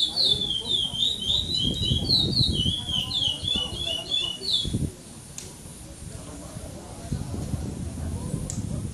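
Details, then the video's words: Caged chestnut-bellied seed finch (curió) at a 2014 singing tournament stage in São Domingos do Maranhão, Brazil, giving pardo-style song without repetition, placed second. A fast run of high, sweeping whistled phrases for about five seconds over low murmuring background noise, then near quiet. "CURIÓ PARDO"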